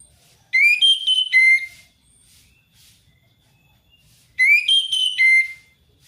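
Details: Ngeplong ngalas song of an orange-headed thrush, meant to coax a silent thrush into singing. Two loud, clear whistled phrases, each a fast run of rising then dropping notes, come about four seconds apart over a faint low hum.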